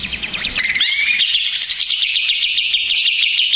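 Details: Greater green leafbird, agitated and stressed, used as a lure to provoke other birds; a rapid, continuous stream of high chattering notes with brief upward-sweeping whistles near the start, dense and unbroken.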